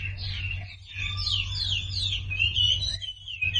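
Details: Sumatran leafbird lure song for prompting quiet birds to sing, heard as short, fairly soft whistled and chattering phrases sliding up and down over a steady low hum.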